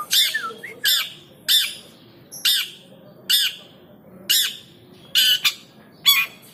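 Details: Long-tailed shrike (cendet) kept in a cage and acting fierce when provoked, giving loud scratchy squawks repeated roughly every three-quarters of a second, some ending in a brief downslurred note, with quiet gaps between.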